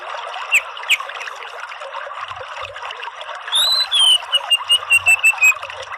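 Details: Orange-headed thrush: two faint clicks, then a long falling whistle leading into a rapid, regular run of about eight short notes, with background hiss and a few low thumps.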